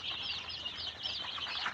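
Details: Tiger chicken chicks at a Sirajganj Sadar farm in Bangladesh, with many high, looping cheeps overlapping into a busy, unbroken chirping chorus.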